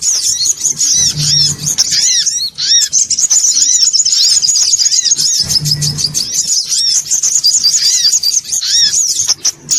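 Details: Noisy songon otong lure call meant to gather birds: continuous shrill chattering with many repeated descending chirps and overlapping high trills, constant and busy throughout, with short low humming patches.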